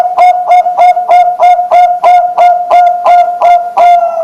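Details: Zebra dove, local and Bangkok perkutut, in a recording used to prompt other perkutut to sing: very loud, distorted train of about thirteen clipped, hollow coos with clicky onsets, evenly spaced about three per second.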